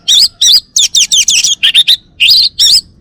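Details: Dense, loud song from a male orange-headed thrush of Bali: rapid runs of warbled, twisting high notes packed closely together with only brief gaps.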